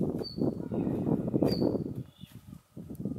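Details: A male Siberian bluechat's call notes from 10 December 2019: two high thin whistles over a second apart plus a fainter, lower note, amid heavy low rumbling noise that briefly drops away.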